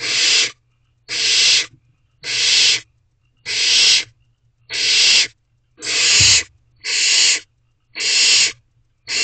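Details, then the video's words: Nest-box barn owlets at a 10:20 pm food delivery keep up a regular series of nine harsh, noisy screeches, each roughly half a second, spaced about a second apart, with a single low thump midway. "Another Food Delivery to the Barn Owlets."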